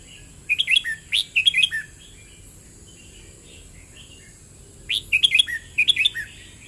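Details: Red-whiskered bulbul song, 'boen rik' style: two quick whistled phrases at the start, a pause filled with faint soft notes, then two more phrases of bright, bouncing chirps ending in falling slurs; faint hiss in the background.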